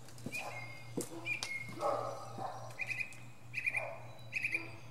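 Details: Northern mockingbird singing from the top of a pine tree, mixing varied phrases: whistled notes near mid pitch, lower burry sounds, and short repeated bursts, over a steady low hum.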